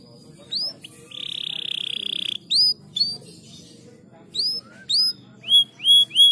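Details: Canary used to stimulate lazy canaries to sing: scattered bright upward-hooked whistled notes with gaps, a drawn-out buzzy trilled note early on, and a closing run of four loud rising chirps.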